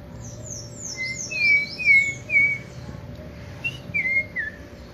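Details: Captive Chopi blackbird practising song, giving clean whistled slurs that dip and rise, spaced about half a second apart in two short runs, over a faint steady hum.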